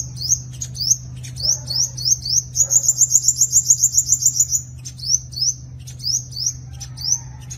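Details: Sunbird fighting song used as a lure: high upslurred whistled notes repeated in pairs, broken by a fast, glittering, very high trill, over a steady low hum.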